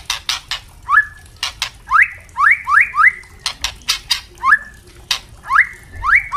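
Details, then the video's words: Captive white-rumped shama, young and adult, sung for training other birds: short rising whistled notes repeated about once a second, mixed with crisp dry clicks and crackles. "Murai trotol pasti gacor dan murai batu pastol bunyi ngeplong"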